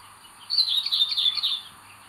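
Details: Begging from a Common buzzard nest with an aggressive eldest chick, 25 May 2022: one loud, drawn-out, high, wavering squeal lasting just over a second, with a faint low hum behind it.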